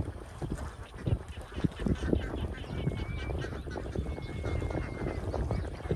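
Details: Many young domestic ducks crowded together on a farm in Vietnam, loud rapid overlapping quacking in a dense chorus, with a thin steady whistle-like tone drifting through the middle.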